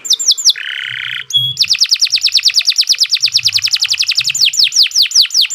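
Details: Canary singing long and continuously, recorded as a tutor song for young birds: high, rapid trills of sharp descending notes, about a dozen per second, broken briefly by a buzzy lower rattle and a clear held note, then a long, steady trill.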